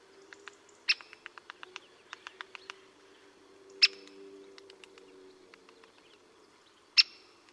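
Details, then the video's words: Great spotted woodpecker in the Vosges, Alsace, giving three loud, sharp 'kik' notes about three seconds apart, with fainter quick ticking notes between and a low steady hum beneath. "pic épeiche et ses différents cris"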